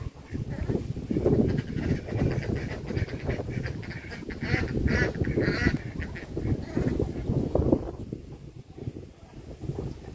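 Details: Several ducks calling while playing and foraging in a river; dense, overlapping, rough low quacks and honks run continuously, quieting toward the end.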